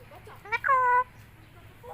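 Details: White cockatoo talking, said to be good at speaking: a short spoken-sounding phrase, a quick rising syllable then a steady, clear, voice-like tone held about half a second, over quiet background hum.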